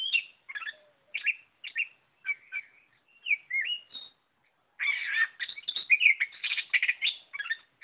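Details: Busy Oriental magpie-robin song, choppy whistled phrases repeated about every half second, then a continuous rush of rapid, jumbled chattering and whistles.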